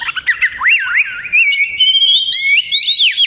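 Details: Kacer, or oriental magpie-robin, in continuous song recorded as tutor material for other birds: looping, swooping whistled phrases, rising and falling, delivered in a quick unbroken stream.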